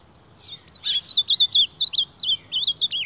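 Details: Reina mora, the ultramarine grosbeak, sparring with its mirror image: after a sharp click comes a quick, even run of high, wavy whistled notes, about five per second.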